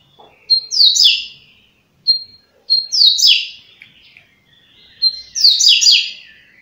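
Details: Coleiro, or double-collared seedeater, rattling off its fast 'flash' song, reportedly 30 songs in a minute: brief ringing whistles followed by three bursts of dense, buzzy downward-stepping notes about every two seconds, in a quiet setting.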